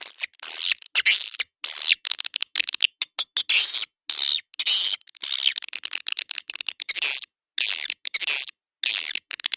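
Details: Naga Emas lure call of the edible-nest swiftlet for swiftlet houses: high, thin twittering chirps and fast clicking trills in uneven bursts, with abrupt cuts to silence between phrases.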